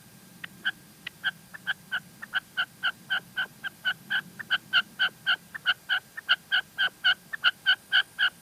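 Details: Calling female red-legged partridge, La Mancha, Spain: rapid, evenly repeated short metallic clucks, roughly four a second, starting softly and growing louder across the series, over a quiet low hum.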